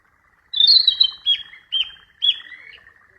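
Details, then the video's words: Wild flycatcher singing a short phrase of high, sharp whistled notes, each quickly slurring downward, starting with a bright strained note then three separate clear downslurs, in an otherwise quiet setting. "Burung sikatan di alam liar"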